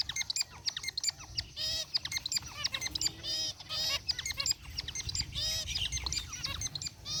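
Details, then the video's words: Aviary flock of zebra finches, gray and white birds among them, chirping while relaxing in the cage: a dense, continuous stream of short nasal honking beeps and quick ticks, several birds calling over one another. "Cute Zebra Finches in Aviary | Relaxing Bird Chirping Sounds"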